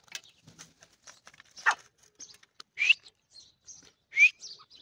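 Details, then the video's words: Irani teetar, an Iranian partridge, giving short loud rising notes about a second apart, with fainter high chirps and scratchy rustles in between against a quiet background. "irani teetar ke awaz"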